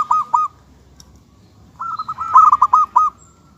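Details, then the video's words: Zebra dove of a local type giving two quick cooing notes, a pause, then a fast rattling run of seven or eight hooked, slightly bubbly notes at a steady mid pitch. "suara kutut lokal"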